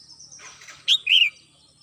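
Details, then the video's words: Pet red-whiskered bulbul at home in the morning: after a soft rustle, a sharp rising whistle followed by a longer warbled, falling note. "CHim Chào Mào Mơ nhà mình hót buổi sáng"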